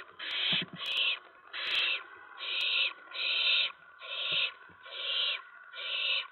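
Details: Owl nest with owlets, about 2 AM on 10 September 2017, as a mouse is brought in; a steady series of eight harsh, breathy hisses close to once a second, with a few faint knocks.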